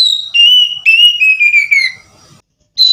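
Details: Oriental magpie-robin (kacer) from a hobbyist's collection. Clear, loud whistled notes step gradually downward in a drawn-out phrase, then a short pause and a final high whistle.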